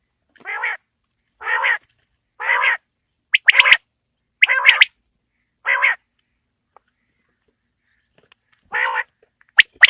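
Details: Quail (bater) evening call in winter: a series of short, rough, nasal notes roughly one a second, with sharp clicking sounds mixed in midway and at the end.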